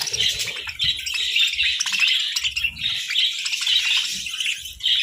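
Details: Budgerigars chattering while they sunbathe, lively scratchy warbling with repeated bright chirps throughout and faint low knocking sounds.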